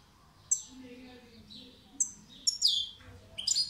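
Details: European goldfinch song: short, bright, high twittering notes in separate bursts at about half a second, two seconds and two and a half seconds, ending in a rising jingle, over faint repeated chirps in the background.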